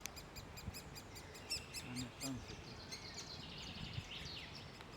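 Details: Great spotted woodpecker at a nest while the young are being fed: a quick run of sharp ticking notes, then a steady high chatter. A low murmur, possibly a voice, sits underneath.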